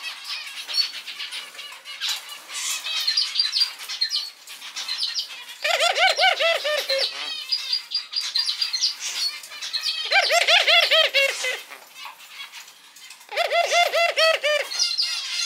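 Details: Male Barbary dove, a newly adopted pet kept indoors with other cage birds, giving its laughing call: three bursts of rapid, low, stacked chuckling notes, each lasting about one and a half seconds, over constant high chirping and twittering from other pet birds.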